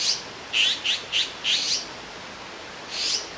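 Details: Fledgling azure-winged magpies lined up on a branch in Jirisan National Park, begging as they wait for a parent's food delivery; a quick cluster of short, scratchy chirps, then a pause and one longer hiss.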